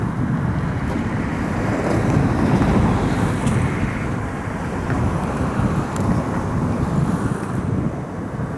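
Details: Heavy wind buffets the microphone with a steady low rumble, and no animal call.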